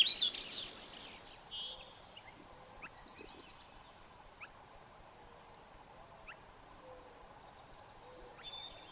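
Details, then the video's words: Swainson's thrush gives its familiar high, airy ascending song phrases spiralling upward, then short, sharp 'pit'/'whit' calls roughly every two seconds over faint background hiss. "Swainson's Thrush singing and calling"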